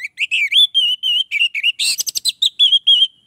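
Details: Orange-headed thrush singing to lure other orange-headed thrushes: a continuous run of clear, warbling whistled phrases, rising and falling, with a brief harsher chattering burst midway.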